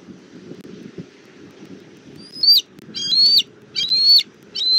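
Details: Bald eagle family gathered at the nest tree in Southwest Florida, recorded by a nest camera on 19 April 2024 at 17:06; four high, thin whistled notes, each flat or slightly rising, in the second half, over a steady low rumble.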